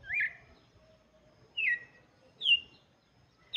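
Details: Red-cowled cardinal singing for chicks: clear, brief downward-slurred whistled notes, four spaced phrases about a second apart against a quiet background.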